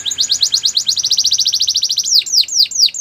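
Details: Canary song for training: a steady, rapid trill of repeated slurred notes for two seconds, switching to four loud, slower, downward-curving whistles; light background hiss.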